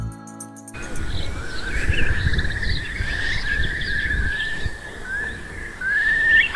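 A Eurasian curlew gives a long, fluty whistled call, slowly rising and sustained, ending in a bubbling upward trill, over a low rumble of wind.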